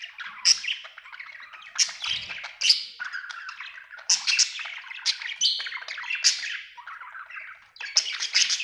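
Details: A happy budgerigar chirps loudly in a room. Sharp, bright chirps and squeaky clicks break up a continuous rambling warble, with strong peaks every second or so.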